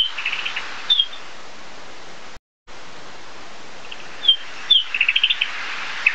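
A Narcissus flycatcher gives short, high whistled phrases with quick chirping trills, in two bursts separated by a pause, over a steady background hiss.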